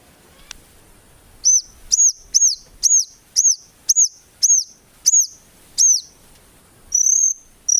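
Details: Murai batu, or White-rumped shama, singing steadily for songbird training, with 'tembakan' phrases and no 'ngukluk' notes. A clear high arched note repeats about twice per second, ending in a longer, flatter whistle.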